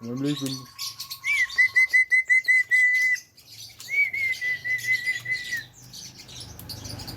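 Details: A talking Javan myna gives a quick run of eight sharp, even chirps, then a long, wavering buzzy whistle, with a brief low voice-like sound at the start.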